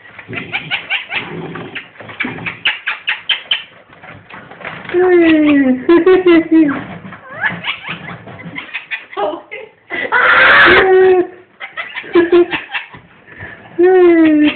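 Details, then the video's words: Pet ringneck parrot laughing indoors, bursts of rapid chuckling pulses alternating with longer nasal, speech-like phrases and a loud harsh squawk near the middle, the laugh runs returning at the close. "ringneck parrot laughing crazy"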